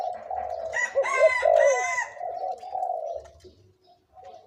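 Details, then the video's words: Spotted dove decoy bird, aged 2–3 years, gives low bubbling coos while a rooster crows loudly over the first half. "นกต่อ เสียงใหญ่(เจ็กหัวโต)และเสียงกลางกับเสียงเล็ก จ้วดๆ ครับ"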